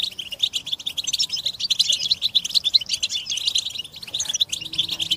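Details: Stimulation twittering of European goldfinches, mating and readiness calls for rousing silent captive males: a flurry of high, clear chirps and short trills from several birds, running without a break.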